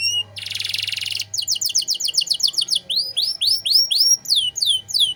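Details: Domestic canary singing 'cengkok mewah' song for training other cagebirds: opens with a dense buzzy roll, then brisk rattles and repeated curved whistled notes, over a faint low hum.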